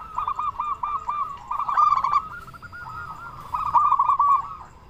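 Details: Local Zebra Dove singing as a lure for other doves: continuous rolling coos at one pitch, punctuated by click-like notes, growing louder near the end.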